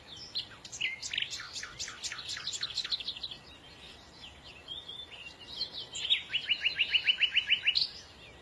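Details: Bird song of quick descending high chirps in a tumbling series, a short quiet gap, then a steady trill of roughly a dozen rapid, even notes.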